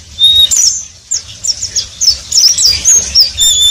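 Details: Oriental white-eye singing in a continuous twittering style called ngeriwik: high, rapid, thin whistled notes and short slurred chirps, with a long steady whistle near the start and brief pauses between bursts.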